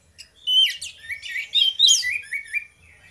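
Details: Orange-headed thrush morning song, two birds: a quick tumble of slurred whistles and mimicry-like chirps, rising and falling steeply, ending in softer trailing notes.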